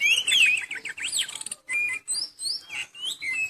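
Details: A moulting oriental magpie-robin still in full voice: rapid looping whistled phrases, then separate clear, slurred notes about three times a second, each rising or falling, with brief gaps between.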